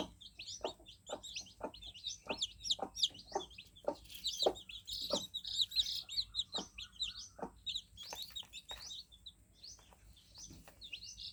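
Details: Newly hatched chicks fill the scene with dense, high, downward-slurring cheeps, while rhythmic soft tapping recurs roughly every half second.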